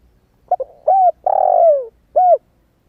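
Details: Newly calling young spotted dove, still in its wild plumage, kept as a lure for wild doves: one full phrase of two quick soft notes, a rounded coo, a long sliding downward coo and a crisp final coo.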